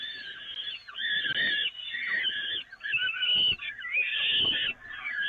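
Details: Peregrine falcons at the Evoluon during a feeding on the nest grating, May 2018: rasping, wheezy cries in long strained bursts about once a second, broken by short pauses, with faint knocking underneath.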